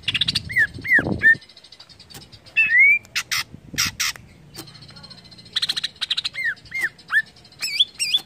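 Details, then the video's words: Greater green leafbird song, used to stimulate other leafbirds to sing: short slurred whistles near two kilometres' pitch range alternating with harsh, broadband squawking bursts, then a run of falling whistled notes and rising warbled phrases at the end. "CUCAK IJO INI UNTUK MERANGSANG BUNYI IJO ANDA"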